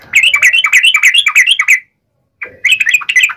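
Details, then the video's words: Short fighting-style yellow-vented bulbul song, uplik ropel variety, used to get bulbuls calling back: a dense rattle of quick chirping notes, a half-second gap, then another fast chirpy burst. "trucukan gacor TARUNG NGALAS UPLIK ROPEL ini PALING AMPUH bikin burung trucuk gacor NYAUT SEKETIKA"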